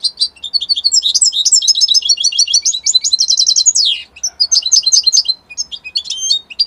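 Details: Italian-type European goldfinch pouring out a dense, fast twittering song of bright chirps and short trills. A falling slur breaks the run midway, then choppy phrases resume with brief pauses between them.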